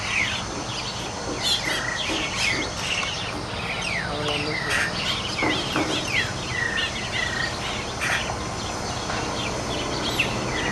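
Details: Several Nias starlings fighting together: a continuous chatter of short, downslurred chirps and harsh squeaks, with occasional clicks and a steady hiss throughout.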